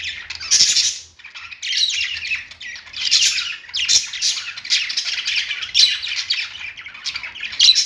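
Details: Budgerigars on a perch chattering in repeated scratchy bursts about every half second, with harsher squawk-like notes throughout.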